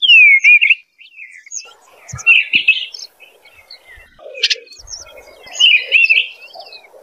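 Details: Melodious Eastern bluebird song opening with a clear downslurred note, followed by warbled phrases, a sharp click, and faint low rustling.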